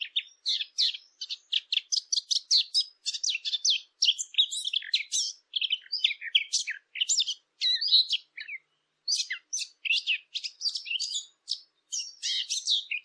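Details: Dense, continuous bird chirping fills the whole stretch, with quick high twittering bursts tumbling one after another and only brief pauses, as if several small birds are calling together.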